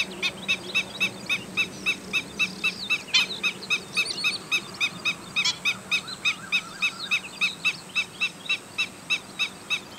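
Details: Black-winged stilt giving sharp, squeaky kek notes about three or four times a second in a steady run, with other birds' twittering calls faintly behind and a low steady hum.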